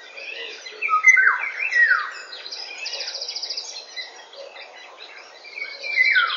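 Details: Eurasian golden oriole singing at 8:15 in the morning on 19 May 2013: loud, fluty descending slurred whistles near the start and again at the end, over a busy chorus of other birds with buzzy high trills.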